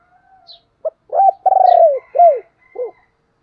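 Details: Decoy spotted dove calling: a short low note, then a throaty rolled coo that slides downward, followed by two shorter falling coos. Faint high chirps from other birds come through in the background.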